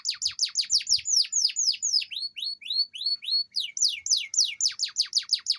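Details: Canary, a lively singer, used to coax lazy canaries into singing: fast repeated downward-sweeping whistled notes, about two per second, shifting into rising slurred phrases and then back to quick descending trills, with faint low thumps.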